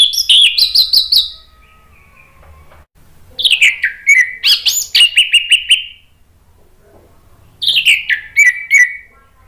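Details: Male orange-headed thrush answering spontaneously, used as a lure sound to coax silent birds into singing: three bursts of rapid, loud notes that slide down from high to mid pitch and end in short repeated chirps, with quiet gaps between.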